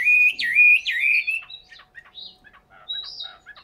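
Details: Chinese hwamei kept in a cage in Hanoi, Vietnam: loud rich looping whistles in the first second and a half, followed by softer scattered chirps and a thin high whistle, over a constant faint hum.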